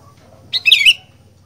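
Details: Sooty-headed bulbul, a fighter-type kutilang, delivering a single bright bubbly phrase of rapid liquid whistled notes ending in a short falling slur, against a faint low hum.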